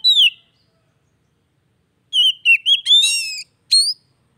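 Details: Kacer, an Oriental magpie-robin, in a song meant to prompt a bird that has stopped singing: one falling whistle, a long pause, then a rapid string of slurred whistles, a harsh rasping burst and a closing upswept note.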